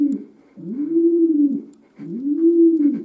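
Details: Indoor pet domestic pigeon giving two long, low, smooth coos that swell and fade, over a faint constant humming noise in a small room.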